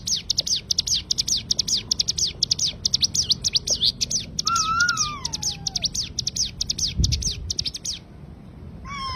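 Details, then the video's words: Tutor recording of cigun tembakan song: a long, rapid barrage of high sharp chips, overlaid by a lower falling whistle in the middle, then stopping abruptly before a brief final flourish. "Tembakan burung cigun untuk masteran terbaik"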